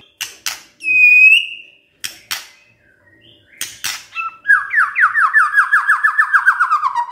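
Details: Shama (murai batu) kretekan meant to stir up emotion: hard clicks and one loud pure whistle, then a fast rattling trill of about a dozen repeated falling notes.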